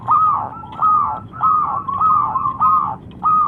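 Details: Zebra dove, known locally as perkutut lokal, delivering slower drawn-out cooing phrases, each a level note followed by a falling tail, repeated about every half second to second, with low background noise.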